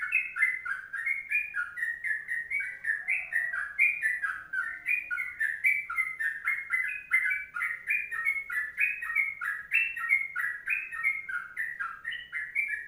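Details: Long 'kongslet' song of a sooty-headed bulbul, sustained for about thirteen seconds: an unbroken chain of bubbly, up-and-down whistled notes delivered fast and steady in 'ropelan' fashion.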